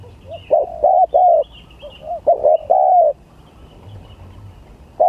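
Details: Spotted dove contest song, gagap, tindan or klantan style: a cluster of short clipped coos followed by longer mellow ones, two phrases close together, then quiet before one more coo starts at the end.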